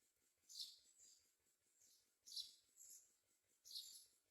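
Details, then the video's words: Mynas feeding babies with insects like crickets; short hissing, high rasps in quick pairs and singles, separated by brief pauses, with soft ticking beneath. "Myna Birds are happy and find food to feed their babies all the time, even with a couple of crickets"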